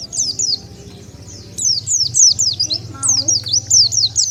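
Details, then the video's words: Calls used to lure wild Oriental white-eyes: high, sliding chirps in short bursts, loudest in the second half, over a low background rumble. "SUARA PIKAT BURUNG PLECI SANGAT AMPUH,DENGAR SUARA INI BURUNG PLECI LIAR LANGSUNG NGUMPUL"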